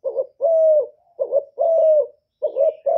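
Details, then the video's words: Spotted dove from Cà Mau, Vietnam, calling as a decoy for luring wild doves. Alternating short wavering notes and long, smooth, steady coos that drop at the end, repeated about every second and a half in silence. "CU GÁY MỒI ĐẤT, CU ĐẤT GÁY, CU CƯỜM GÙ KÍCH BỔI, TIẾNG CHIM CU MỒI"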